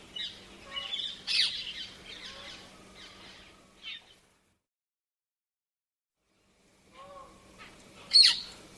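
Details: Painted Spurfowl gives its loud, rapidly repeated "chirr" call: rough, chirring bursts in two spells split by a short silence, ending on one sharp, loud note.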